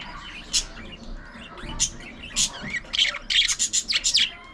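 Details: Budgies at home chattering while grooming and playing: scattered sharp squeaks and whistled slurs, building into a quick burst of buzzy chirps near the end.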